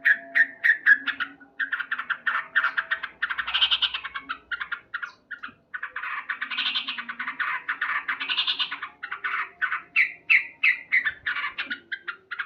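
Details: Male yellow-vented bulbul in vigorous morning song, a long, fast chattering of bubbly notes with louder, richer phrases mixed in and no real pauses.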